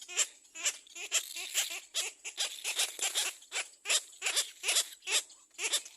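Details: Little black cormorant chick at the nest crying loudly on seeing another bird approach: rapid series of harsh, raspy squawks, roughly two to three per second, each a noisy broadband burst, continuous and insistent.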